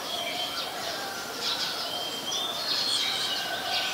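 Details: White-vented Mynas (Acridotheres grandis) in Ubon Ratchathani, Thailand, on 16 February 2020 give a steady chatter of high, squeaky whistles and scratchy notes, with several birds calling over one another.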